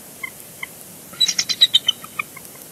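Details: Bald eagles at a Big Bear Lake nest on 3 February 2022, recorded by a live cam during a chatty changeover on the eggs: a quick rising string of about eight thin staccato chitters, set among faint scattered notes.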